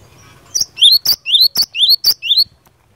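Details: Java sparrow singing to provoke other Java sparrows into answering: a run of sharp high chirps and rising slurred whistled notes, about eight quick notes in two seconds, clean with little background.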